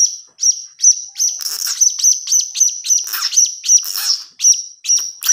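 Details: Begging blue-crowned hanging parrot chick, used as a lure call, giving rapid, insistent high-pitched chirps, roughly one or two per second, with bursts of overlapping harsher notes in the middle of the run.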